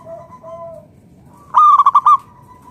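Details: Local zebra dove of a natural strain, singing loudly, used to draw other doves into calling: a single loud burst of five quick, ringing cooing notes, preceded by two faint, drawn-out coos from a more distant dove.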